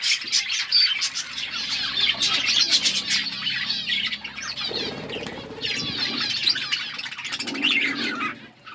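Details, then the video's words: Budgies in an outdoor aviary, called wild budgies, chirping busily: high twittering chatter over soft low rumbles and wing flutters, with a dip in chatter midway before the warbling resumes. "Wild budgies in my outdoor aviary birds chirping sound"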